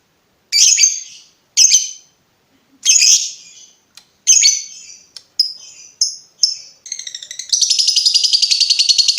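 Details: Lovebird vocalising for training other birds: harsh chattering bursts, then quick clipped chips leading into a sustained fast rattling trill at the end.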